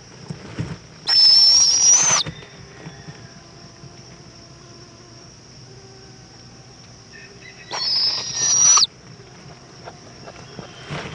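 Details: Owl mother returning to her chick with a bug at 7:20 pm in Indiantown, Florida, February 2014; two rasping, breathy shrieks about a second each, roughly six seconds apart, over a soft steady background hum.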